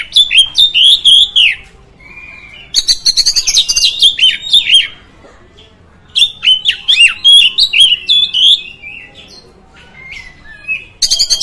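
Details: Oriental magpie-robin song played to provoke other magpie-robins: three loud bursts of fast, varied whistles and buzzy chirps, each lasting a couple of seconds, with short quiet breaks and a plain whistled note between.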